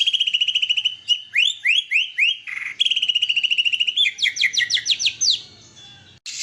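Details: Contest white-rumped shama singing its song material: rattling trill phrases alternate with rising, slurred whistles and a burst of quick upswept notes, ending in a short harsh noise.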